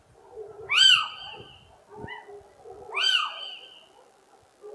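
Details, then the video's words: Little owl giving loud, harsh, rising then falling shrieks, two calls about two seconds apart with a fainter note between, over a low background murmur. "Mochuelo europeo (Athene noctua) Canto"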